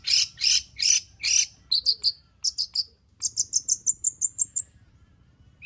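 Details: Long-tailed shrike in lively song rich in fill-in material, played as a lure to make other shrikes sing. Four harsh, scratchy notes give way to a quick series of thin, high ticking notes that build into a steady, high-pitched trill.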